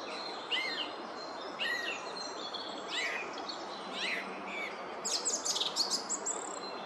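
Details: A song thrush (Turdus philomelos) singing in woodland at Oostvlietpolder, Netherlands, in February 2021 gives bright, whistled phrases about once a second, then a run of quick, scratchy notes, over steady background hiss.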